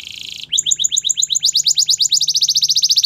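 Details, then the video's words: A yellow canary sings in the morning, a brief buzz giving way to a fast run of rising-and-falling chirps, about eight per second, growing louder toward the end; faint low hum behind. "Yellow Canary Singing In The Morning"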